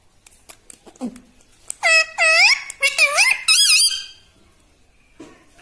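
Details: Pet parrot indoors, said to talk, saying words such as mitthu mitthu and mummy: after faint clicks, a series of rapid, harmonic, rising-and-falling syllables in quick bursts, like speech.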